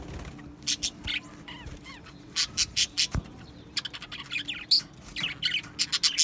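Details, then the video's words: Australian budgerigars in an aviary colony: scattered bursts of sharp, high chirps and short squawks with brief quiet gaps, some quick rising and falling whistled notes, and a faint steady low hum underneath. "Beautiful Budgies Birds Singing and Chirping Sounds"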